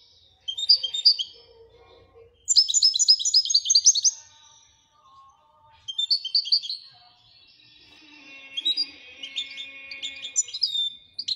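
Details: Moroccan goldfinch in Widaniya song style delivering varied twittering and trilled phrases, some sweet drawn-out notes, with faint lower tonal sounds in the background.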